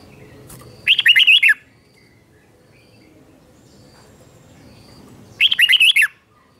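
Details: Red-whiskered bulbul singing a morning 'chè'-style training song: a pair of fast, warbled whistle bursts, the second coming about four and a half seconds after the first, with faint low background hum.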